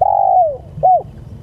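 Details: Spotted dove calling its companions: a drawn-out mellow coo that slides downward, then a short rounded second coo, both low and soft, against a faint low hum.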